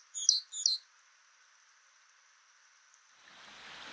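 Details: White-throated Dipper singing by a river: two quick, high, sharp chirping phrases in under a second, then the hiss of rushing water rising at the end.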